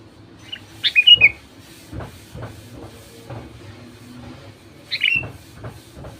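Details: Sooty-headed bulbul lure song for stirring quiet bulbuls to sing: a bubbly falling phrase, then a second shorter one four seconds later, with soft knocks in between.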